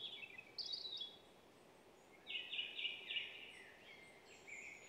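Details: Eurasian nuthatch (Sitta europaea) calling: two bursts of quick, high, ringing notes with a brief pause between them, over a soft background hush.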